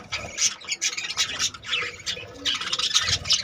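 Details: Many budgerigars in a breeding colony with 25 babies; rapid, grating chirps and squawks arrive in tight bursts, with the whole flock chattering steadily throughout.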